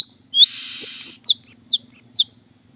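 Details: Long-tailed shrike giving a harsh buzzy rasp followed by a quick run of about six sharp, high chirped notes alternating between two pitches; faint low hum in the background.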